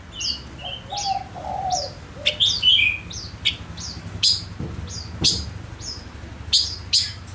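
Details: Male Gouldian finch kept as a lure, singing a lively run of high whistles, slurs and sharp snapping chips over seven seconds, with a low hummed note early and faint low background noise.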